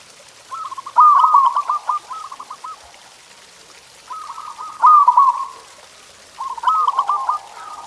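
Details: Local zebra dove song used as a training recording to stimulate pet doves to sing: three stuttering, rolling coo phrases near the same mid pitch, each a quick run of clipped notes with one louder accented coo, spaced about three seconds apart.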